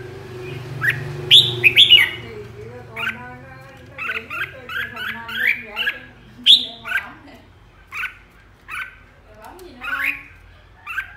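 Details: A flock-leader red-whiskered bulbul gives 'ché' song: short rising chirps and warbled notes repeated irregularly, about two per second, with a low voice-like murmur and background hum underneath.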